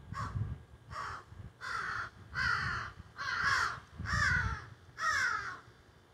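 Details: Crows squawking in trees behind a garden, recorded by phone: a steady series of seven harsh caws, nearly one per second, with some low rumbling noise beneath.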